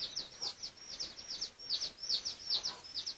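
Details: High, clear chirps that slide downward, repeated at a brisk, fairly even rate of over two per second, from red junglefowl of the dark red pradu form, recorded for research on 18 August 2023.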